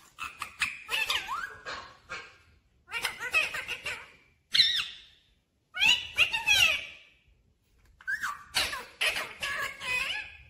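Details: Talking parrot, said to say 'mummy' and 'papa', producing four bursts of speech-like syllables with squeaky, whistled tones and sliding pitch, separated by short silences.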